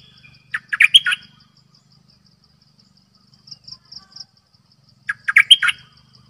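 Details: Decoy bulbul song with two lively phrases of clustered, slurred chirps about four seconds apart. Softer short notes sound between them over a faint continuous high-pitched ticking.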